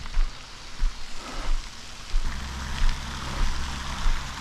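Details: Rain patters steadily over a low vehicle rumble, with soft irregular thuds and no animal voice heard.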